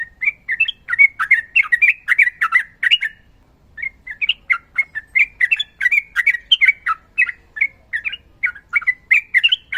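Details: Sooty-headed bulbul (trucukan) song, described as female calling male and fighting: rapid run of bubbly, chattering notes around the same pitch, a short pause near three seconds, then a long steady stream of quick warbled phrases.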